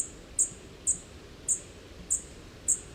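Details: A fledgling Dark-eyed Junco gives very high, thin 'tick' notes, six in a row at about two per second, over a soft background hiss; the call is very similar to that of young Black-throated Blue Warblers.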